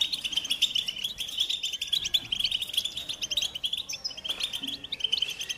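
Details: Continuous fast twitter from a goldfinch, mixing sharp high chirps with buzzy, rattling trills, briefly pausing near four seconds before resuming the bright chatter.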